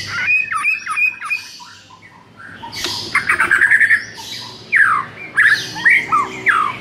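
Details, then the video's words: White-rumped shama song to lift a shama's urge to sing: whistled notes, rapid trills and harsh descending slurs in loud bursts separated by a quieter pause. "MASTERAN UNTUK DONGKRAK EMOSI MURAI BATU YANG KURANG GACOR"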